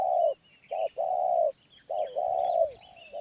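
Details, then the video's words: Mid-voiced wild spotted dove ('suara menengah') cooing: a long hollow coo, then a short note and another drawn-out coo, with a clipped note and extended coo after a pause; soft twittering of other birds behind. "Tekukur Liar // Suara Menengah"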